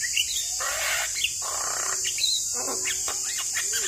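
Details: Javan myna in full, lively voice, used as a lure to rouse a stressed bird: harsh buzzy bursts and short rising whistles in quick succession over a steady high hiss.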